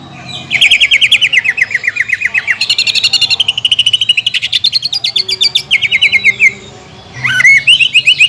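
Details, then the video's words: Greater green leafbird singing a fast, steady run of repeated high notes forming a long trill that rises and falls, then a pause and a renewed burst; played to provoke other birds to sing. "PANCINGAN CUCAK IJO GACOR NEKAN DAN NEMBAK"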